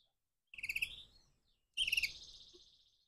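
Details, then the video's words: Crossbred canary in the morning: two short bursts of high rapid chirping notes, each starting with quick stuttered pulses and trailing into a thin fading twitter, separated by a brief silence. "persilangan kenari pagi hari"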